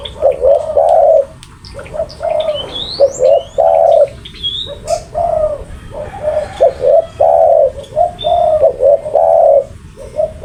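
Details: Spotted dove giving lively, persistent calls: low rolling coos in irregular bursts, overlaid by other birds' high chirps and whistles and a steady background hiss.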